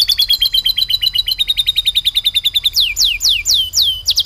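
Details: Canary performing a full song mixed with lovebird-style material: a quick rattling trill for nearly three seconds, then a series of loud, sharply descending whistled sweeps, about four in a row.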